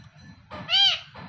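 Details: Pet parrot from a talking male and female pair lets out a single short, harsh, nasal squawk, rich in harmonics, over a low background hum.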